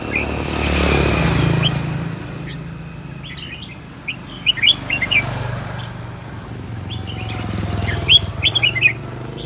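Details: Caged red-whiskered bulbul used as an aggressive decoy bird, singing while agitated: short bursts of bright, quick whistled notes in two phrases, over a steady low rumble of traffic.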